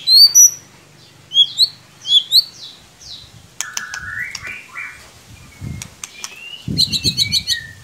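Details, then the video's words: White-rumped shama song used as a lure to spur a sluggish shama into singing: bright whistled upslurs and quick high sweeps, then lower warbled trills and a burst of rapid high chips, with soft low rumbling beneath. "Solusi murai ngiriwik kurang gacor cukup dengarkan suara pancingan ini pasti nyangut"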